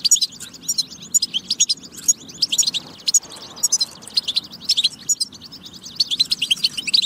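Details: European goldfinch singing in a recording to get goldfinches singing: twittering runs of sharp, high chirps and liquid trills, broken by short gaps, over a faint low hum.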